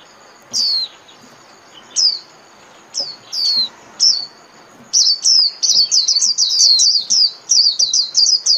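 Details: Japanese white-eye singing in the líu warbling style, a recording played thirty minutes daily to train caged birds: high, thin descending slurred notes, first spaced about a second apart, then a rapid run of repeated sweeping chirps.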